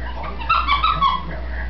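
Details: Pet female green-winged macaw chattering on her own when she believes the room is empty: a brief, harmonic, whining speech-like phrase of three quick rising-and-falling notes over a constant low background hum.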